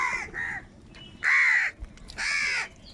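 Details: Wild crows, huge numbers of them, fighting for food: three harsh, hoarse caws, two short ones followed by two longer drawn-out cries about a second apart, rising slightly then falling.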